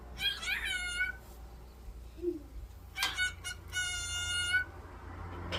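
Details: A talking cockatiel, which starts talking as soon as it hears its owner's voice, repeats short mimicked words in quick bursts in a shrill, reedy voice, amid words like "hello" and "give me a kiss."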